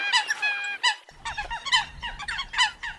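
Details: A Eurasian coot gives one long, level nasal tone, followed by a rapid run of short, sharp honks at a little over one per second, over low rumbling background noise.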